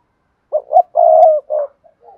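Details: Spotted dove singing in the Cườm Sa song style with a hạp bổi voice: two short low coos, then a long drawn coo and a softer trailing coo, with faint murmured notes after. No other sounds.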